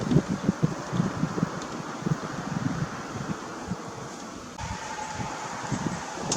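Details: Gusty wind buffeting the microphone with low rumbling, joined midway by a steady mechanical hum, with no animal call audible.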